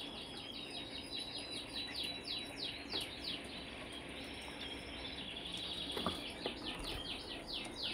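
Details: Brambling chirping: long trains of quick, descending high notes, broken by brief pauses and resuming, against continuous soft background noise with a few low knocks.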